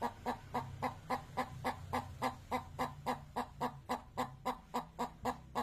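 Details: Chicken clucking in an even, rapid rhythm of about three to four short clucks per second, set against a constant low rumbling hum.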